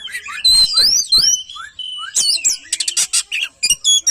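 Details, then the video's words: Oriental magpie-robin singing a fast jumble of high, looping whistled phrases, then loud harsh chattering bursts and sharp clicks, said to get other magpie-robins singing too. "Nakal bikin kacer lain ikut GACOR‼️"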